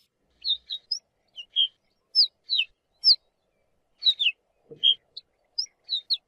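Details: Ortolan bunting giving short, high, clear chirps, single or in quick pairs, scattered irregularly with brief silences between, one faint low thud midway, otherwise a quiet background.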